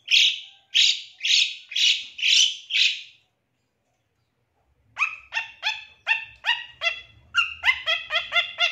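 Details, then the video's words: Lure recording of a long-tailed shrike meant to prompt another shrike to sing: six harsh rasping notes, a two-second pause, then a fast run of sharp chattering notes that quicken toward the end. "Langsung Nyaut Pancingan Suara Pentet Bahan Agar Cepat Bunyi & Emosi ~ CENDET JUARA 2023"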